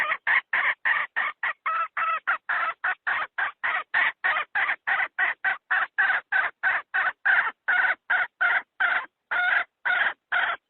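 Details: Decoy hen call for luring wild fowl into traps: a sustained, steady stream of roughly thirty-five short, harsh, nasal cackles, about three per second, kept up without letting up.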